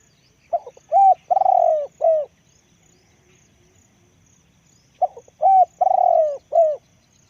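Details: Spotted dove giving two identical cooing phrases about four seconds apart, each a short note then longer mellow coos, the third drawn out and slightly falling.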